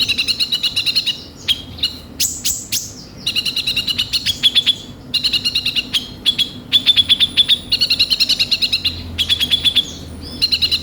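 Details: Konin (kolibri ninja, Van Hasselt's sunbird) song used as a lure to get birds singing: rapid bursts of sharp, high, metallic chips and trills, each burst a second or so long, separated by short pauses.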